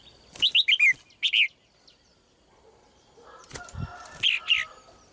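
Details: A red-whiskered bulbul, stated to be a female, sings a descending four-note whistled phrase and a short two-note follow-up, then flapping and clattering noises with two more whistled notes.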